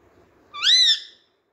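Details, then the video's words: Pet rose-ringed parakeet from India, described as talking and playing with a mirror, giving a single rising-then-falling whistled squawk lasting about half a second. "Indian Talking Parrot Voice | Parrot speakjng in Urdu/Hindi"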